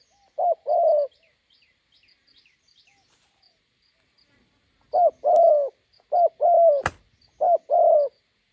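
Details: Spotted dove decoy meeting a wild bird along a roadside in Gia Lai, Vietnam: one coo pair, a pause of several seconds, then three more short-long pairs. There are two sharp clicks and faint chirping of small birds.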